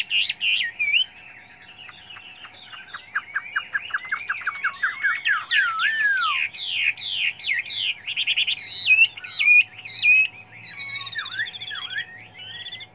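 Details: Varied many-voiced song of a Chinese hwamei, played to train other birds: a long flowing run of clear whistles, rapid slurred notes and looping phrases that grows denser and richer toward the end.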